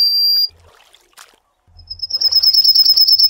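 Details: The end of one Yellowhammer (Emberiza citrinella) phrase, a long level high note, then a pause with faint low rumble before a new fast series of repeated thin notes begins.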